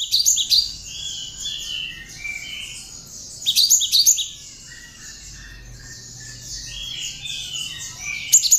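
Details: Song of a cinereous tit (gelatik batu, wingko) containing bar-winged prinia (ciblek) notes, meant for training songbirds: rapid, shrill chirp bursts near the start, middle and end, with steady lower twittering in between.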